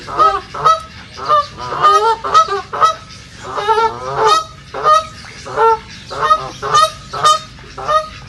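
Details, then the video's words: Several wild or migrating ducks quack in harsh, nasal bursts, one or two a second, overlapping in a busy chorus, recorded in a nature reserve; such calls are used by hunters to lure flocks during migration season. "صوت البط | دجل البط | بطبطة البط | Duck sound"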